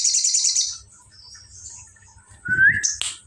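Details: Sooty-headed bulbul mimicking the bar-winged prinia (ciblek): a rapid high buzzy trill that fades, then a soft thin note and a single rising whistle. A sharp click follows, with a low rumbling hum in the background.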